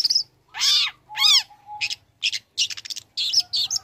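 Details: Young long-tailed shrike used to provoke other shrikes: two loud harsh downward rasping notes, then a series of short scratchy and chattering bursts, with a faint steady whistle between.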